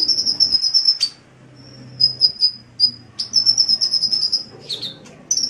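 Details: Sunbird, locally called kolibri, singing energetically in a birdkeepers' training recording: long very high trills of fast even notes, broken by short pauses and single sharp chips, with a faint low hum behind.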